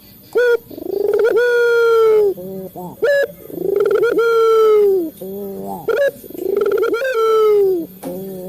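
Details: Male local Barbary dove cooing, played as a lure to train captive doves to call: long harmonic coos, each opening with a short sharp note, then a swelling sustained tone that falls away, repeated about every two and a half seconds.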